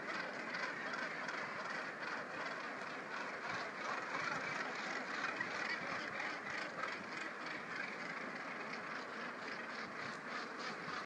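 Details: Northern Gannets at a crowded clifftop colony on Noss, Shetland, give a continuous roar of harsh, grating calls, with many birds overlapping and wind or surf hissing steadily underneath.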